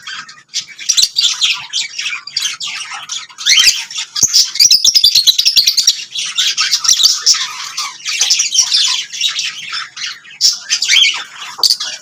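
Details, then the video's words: Several lovebirds chirp and sing continuously, a loud dense wash of high twittering and scratchy squawks with rapid ticking notes, steady through the whole stretch. "Lovebirds singing and chirping sounds"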